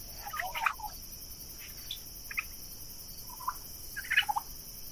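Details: Young Royal Palm and Broad Breasted White turkeys grazing outdoors on a summer day; a few scattered short yelps and clucks, a burst near the start and a cluster near the end, separated by quieter hissing background.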